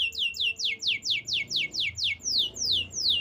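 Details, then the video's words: Canary repeating one loud high note that sweeps steeply downward, about three to four times a second in an even series, with a quiet low background hum. "Natural Sound of Forest Birds Chirping || Canaries"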